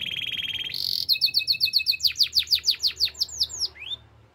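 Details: Canary singing: a short buzzy high trill, then a run of about a dozen rapid, evenly spaced descending whistled notes, ending with a single rising whistle.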